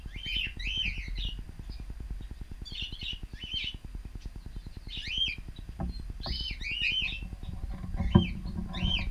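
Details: Cockatiels in an aviary giving short chirpy, whistled calls in clusters over a steady low mechanical hum, with a few sharp clicks and knocks.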